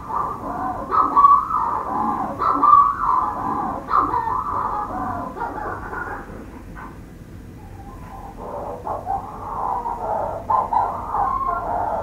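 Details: Manx shearwater calling inside its burrow under the warden's house, Skomer Island, South Wales. Loud hoarse cackling phrases open, fade to a quieter stretch around seven seconds, then grating crows resume and swell again.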